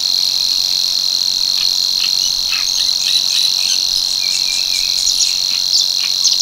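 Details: Savi's warbler male at Tancat de l'Illa, l'Albufera, where it breeds from March in marsh vegetation over water, reeling a long, even, high insect-like buzzing trill without a break, with faint short calls from other birds behind.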